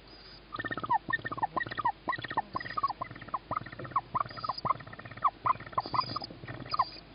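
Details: Young tawny owl on 21 May 2017 at 21:38, hearing its mother arrive as a sibling on the roof gets first food before feeding. A rapid, excited run of harsh, ringing chattering notes, several per second, continues for about six seconds after a brief quiet start.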